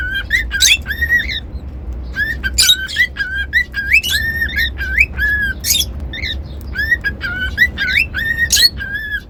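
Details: Cockatiel whistling in quick runs of bright, slurred tonal notes, many rising then flattening, broken by short rough squawks; faint low background rumble throughout.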